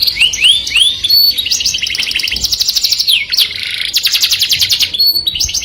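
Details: Canary song aimed at the opposite sex: rising chirps give way to long rapid trills and a low buzzy roll, repeated in varied phrases.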